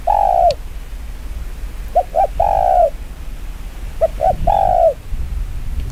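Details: Spotted dove's very fast 'chiêu gù kích bổi' coo: a drawn-out falling coo, then phrases of two short quick notes and a long sliding coo, about every two seconds, over low rumble.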